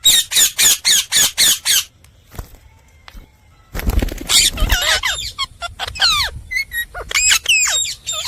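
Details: Indian ringneck parakeet, a talking pet parrot: a run of harsh, rhythmic squawks repeated about five times a second, a short pause, then a jumble of high, sliding, chattering syllables like mimicked speech.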